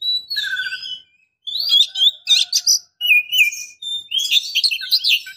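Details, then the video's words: Calling female Oriental magpie-robin luring a male to provoke him, trigger song or solicit mating: rich, continuous high whistled phrases mixed with buzzy chirps, broken by one brief pause. "KACER BETINA Memancing KACER JANTAN"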